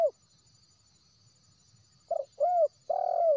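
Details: Wild spotted dove from West Sumatra, used as a trapping lure call. A clipped coo is followed by a pause, then a rough note, an arched mellow coo and a long sustained coo in quick succession. The setting is otherwise quiet.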